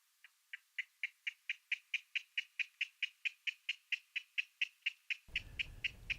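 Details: Several King Rails call back and forth in marsh at a national wildlife refuge near New Orleans, Louisiana: a steady series of about twenty dry, clipped kek notes, roughly four per second, with low wind or handling rumble near the end.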